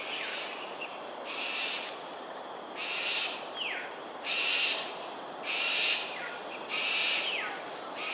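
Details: Cockatoos in aerial display at Sungei Ulu Pandan, Singapore, 7:43 am, 13 January 2022: harsh, raspy screeches about a second long, roughly every second, over steady background hiss.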